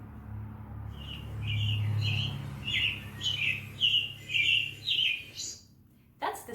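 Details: A robin heard in a backyard sings a run of short, bright warbled phrases, roughly two a second, over a low steady hum, with a brief voice at the end.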